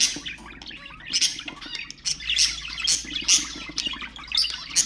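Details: Pet budgerigar warbling intended to encourage other budgies, continuous scratchy high chatter with repeated bright squawky notes roughly every half second, layered with clicks and soft whistles.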